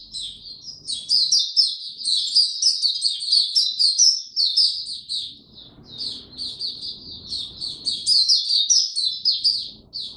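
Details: White-eye in full song during warm, very humid weather, 26 March 2022: high, rapid twittering phrases run on continuously, briefly quieter in the middle before building again, over soft low background noise.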